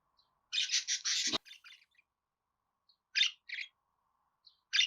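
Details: Pet budgerigar sound meant to prompt other budgies to sing: a long harsh buzzing squawk, then brief pauses and short scratchy chirps.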